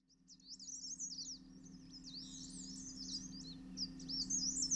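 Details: Male Dark Grey Bush Chat at its nest in a Himalayan hillside earth bank, fetching grubs and bees for its chicks; quick, high, twisting chirps run almost continuously and grow louder toward the end, over a steady low hum.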